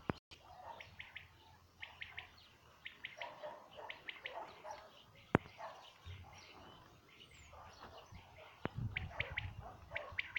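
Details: Common quail song from 2019, a series of quick triple-note phrases repeating at short intervals, with a few sharp clicks and low background hum.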